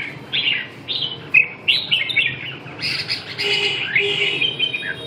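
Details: Red-whiskered bulbul song of bright slurred whistles that sweep down, followed by a denser warbled phrase, with a faint low hum behind.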